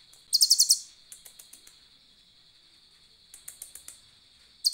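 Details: Asian glossy starling singing with cililin fill, intended for training birds: a quick burst of bright, piercing chatter, scattered soft ticks, a fainter run, then a final sharp flurry, a steady high tone throughout.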